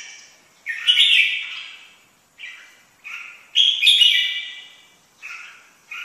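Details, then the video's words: A red-whiskered bulbul sings two long mellow warbled phrases, each followed by short clipped whistles, repeating roughly every three seconds, with quiet between. "Chim chào mào hót hay nhất năm 2017"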